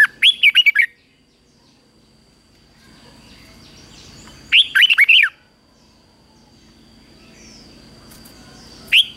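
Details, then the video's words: Red-whiskered bulbul morning training song in the competitive style, from 2024. Two full bursts of rapid, bouncy whistled notes about four seconds apart, then the start of a third, over a faint steady hum. "Luyện chào mào hót sáng | chào mào hót đấu"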